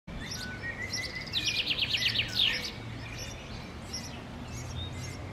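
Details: Wild common chaffinch singing in summer 2016 in Park Sanssouci: a bright, rapid trill of repeated notes dropping in pitch, ending in a short flourish, over a steady low rumble of background noise.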